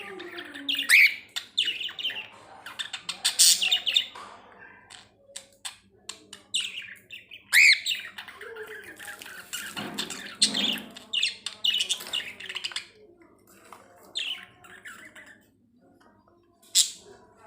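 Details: Budgerigars, kept as pets, chirp in quick, scratchy bursts mixed with bright, high twittering notes while bobbing their heads.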